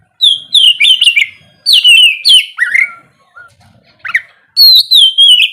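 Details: Oriental magpie-robin singing in the morning to stimulate lazy birds; bright whistled phrases come in short bursts, with a quiet gap and a soft note before a final loud, sweeping phrase.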